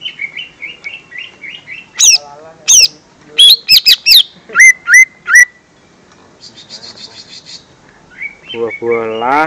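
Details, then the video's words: Lesser green leafbird lure sound for young birds: a soft row of even high chips, then loud sweeping whistled notes in a quick varied sequence, a brief trill, and a rough lower harmonic call at the end. "Suara Pancingan Cucak Ijo Mini/Cimini Bakalan"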